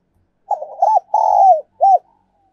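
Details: Spotted dove decoy song of the 'giọng còi' style, also called 'giọng kim': a stuttering, broken coo, then a long drawn-out coo that slides downward, then one short arched closing note. The background is silent.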